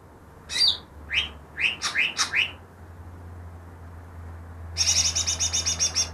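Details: Greater green leafbird, captured two days before, reputed to copy ten other birds' voices: a series of sharp, sweeping whistled notes spaced about half a second apart, a pause, then a quick burst of high chattering chirps; low background hum throughout.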